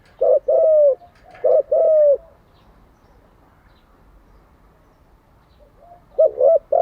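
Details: Decoy-training spotted dove call: two loud phrases of a short note and a long slightly falling coo, a quiet pause with faint distant coos, then another double note to close.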